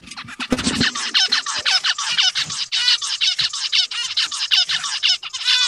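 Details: A male zebra finch, on seeing a female, approaches and sings to court her with a dance, giving a rapid string of buzzy, nasal chirps and stacked harmonic notes.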